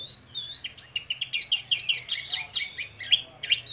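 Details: Orange-headed thrush song in 'ngeplong' style from a duo lure recording. A dense, fast run of bright whistled and chipped notes pulses about twice a second, with a low background hum.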